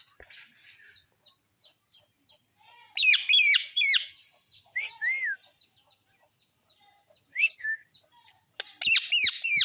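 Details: Parrot pair feeding: series of short, high chirps punctuated by two bursts of loud, harsh, raspy squawks repeated in quick succession, with a few lower rising-falling whistled notes in between.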